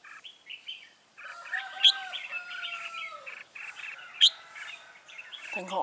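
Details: Red-whiskered bulbul singing as a trap decoy to draw in wild birds, 24 September 2017; a run of clear whistled and warbled notes with two sharp high accents, ending in a low knock.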